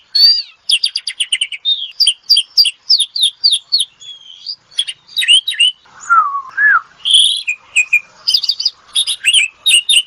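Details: An Asian pied starling sings ngetop for therapy use: rattling chip series, evenly repeated doubled notes, a lower wavering whistle, then a buzzy phrase and more quick chips.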